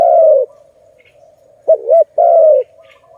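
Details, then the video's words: Zebra dove: a long falling coo ends one phrase, then a fresh phrase of two quick looping notes and a drawn-out coo, over faint soft cooing in the background. "Video lovely Malay dove, Sound of good dove"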